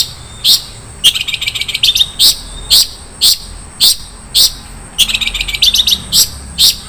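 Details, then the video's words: Isian mewah song from a long-tailed shrike: loud harsh chirps every half second or so, interrupted twice by fast trilling rattles of rapid high notes. "SUARA BURUNG CENDET - ISIAN MEWAH"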